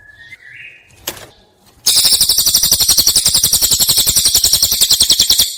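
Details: Prinia song used as a master recording for teaching songbirds: after a short quiet start, a loud, fast, buzzy run of sharp repeated notes, about four each second, carries on steadily to the end.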